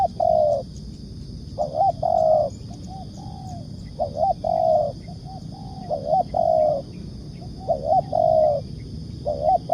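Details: Repeated spotted dove coos in 'nekan' style for bird luring: mellow two-part phrases, a wavering quick note and a longer flat coo, occurring about every two seconds with a few softer extra notes between, low steady noise beneath.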